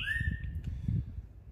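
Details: Green-winged Saltator (trinca-ferro) kept by a breeder, singing during moult on 30 March 2021 after about 15 days of near silence; one loud, clear whistled note, rising slightly then held and fading, over a low indoor rumble.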